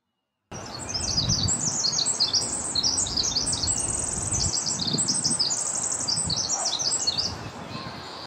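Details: A Pacific Wren in Golden Gate Park, San Francisco, in June 2024 pours out a long, rapid cascade of high tinkling trills and buzzy notes for about eight seconds without a pause, over a low rumble of distant traffic.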